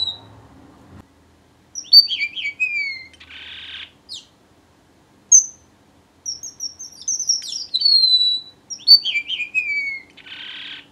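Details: Strawberry finch singing: high, thin whistled phrases sliding down in pitch, mixed with short sharp notes and brief noisy buzzy bursts, delivered in three bouts separated by pauses.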